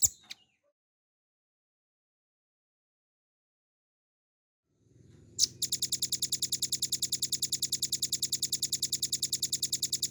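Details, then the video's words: Velvet-fronted nuthatch, a cage-bird training recording in full 'ngebren' style. After a near-silent start, a low hum rises and a steady, very fast run of sharp, high, clipped notes begins and carries on evenly to the end. "RAMBATAN PARUH MERAH GACOR FULL NGEBREN NEMBAK PANJANG"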